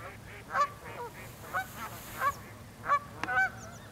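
Cackling geese give short, high, yelping honks, about six in four seconds, some overlapping from several birds.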